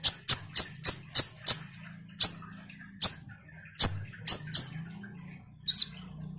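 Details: Common iora chattering as a lure for kolibri ninja birds: a rapid series of identical sharp high chips, then slower single chips spaced about a second apart, with a faint low hum.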